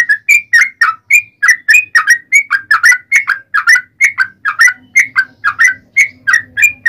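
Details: Yellow-vented bulbul fighting song, used as a lure for answering birds; loud, liquid whistled notes in an unbroken rhythmic string, about three per second, some notes rising and others falling.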